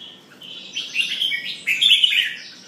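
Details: Red-whiskered bulbul, called jambul, singing as it pumps: a bright, bubbling warbled phrase that swells in loudness, with strongest rich notes near the end, clean background.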